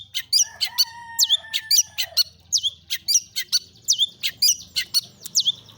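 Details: Long-tailed shrike lure song intended to make other shrikes sing: varied, quick harsh notes mixed with swooping whistles and a few steady tones, over a low background hum.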